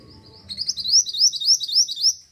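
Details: Mantenan, the olive-backed sunbird, in full song as a bird lure: a rapid, steady series of very high, buzzy, upslurred notes, about eight in quick succession over a thin continuous tone, with faint low rumble before.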